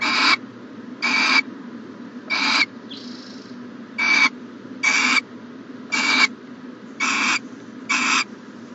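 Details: Morning at an owl nest box, 14 January 2020: rasping hiss-screeches repeated about once a second, nine bursts in all, each breathy and wide-band with a thin whistled tone running through it.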